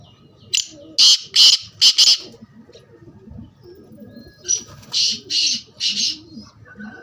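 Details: Two bursts of a black francolin's call, each a quick run of four strident, scratchy high notes separated by a short pause. Low cooing doves are heard throughout.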